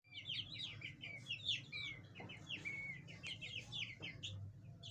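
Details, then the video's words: Chukar partridges (chakor) with their chicks: a steady stream of high, thin chirps and short sliding whistles, several birds overlapping throughout, over a low background hum. "Chakor Ki awaz | Partridge Bird chakor sounds"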